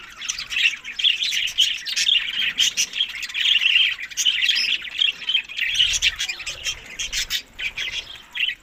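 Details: Budgerigars feeding in summer, May to June, tagged Larkana, Sindh; sustained warbled chatter with squeaky whistled notes runs for most of the stretch, then trails into scattered chirps.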